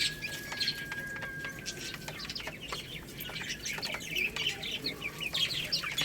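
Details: Little chicks feeding on rice give scattered high, thin peeps over constant pecking clicks; a long level whistle runs through the first two seconds.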